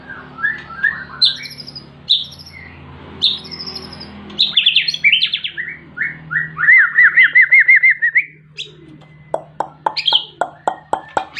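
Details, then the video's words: Long-tailed white-rumped shama singing in a varied stream of whistled phrases, rising and falling notes, a rapid trilled run, then sharp clicking notes repeated near the end; low hum in the background. "Kicau Burung Murai Batu Ekor Panjang"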